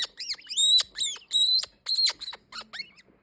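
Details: Green-winged king parrot giving a quick series of harsh, shrill squawks and squeaks, some notes longer and ringing, uneven in spacing and fading out near the end.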